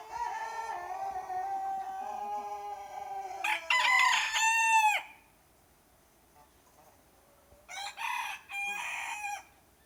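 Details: Several roosters crowing nonstop in the morning: a long drawn-out crow with a falling tail, a loud harsh crow around four seconds, then quieter overlapping crows from other birds after a pause.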